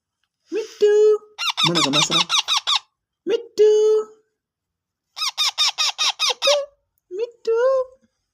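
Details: A ringneck (rose-ringed) parakeet (Psittacula krameri) talks indoors, mimicking "me too" in nasal, speech-like bursts: quick runs of repeated syllables between short, flat squawky notes, with no other sounds.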